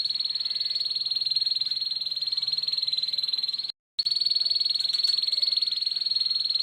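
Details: Rough ngeriwik song from a canary, a lure for young birds to learn: a long high buzzy rattle, cut by a short silence midway, then continuing at the same even, rapid pace.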